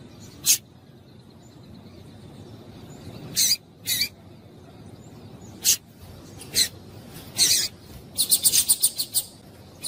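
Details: Female double-collared seedeater calling to stir males: scattered sharp high chips at first, building into a rapid run of closely spaced chips near the end.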